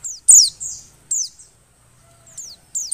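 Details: Oriental white-eye female in breeding condition: a few loud, high, thin downward-slurred chirps, one notably strong, separated by a short silence. The call is said to rouse males into singing.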